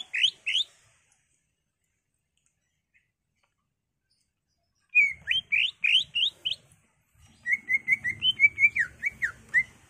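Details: Cucak ijo, the greater green leafbird, in intense song meant to provoke caged birds into singing; two sharp whistled notes, then a pause, then a run of rising slurs and a rapid chattering series of clear whistles.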